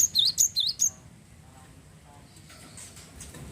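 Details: Java sparrow song used to stimulate other birds to sing: a quick run of about five high, bell-like chirps alternating between two pitches in the first second, then near silence with faint background hiss.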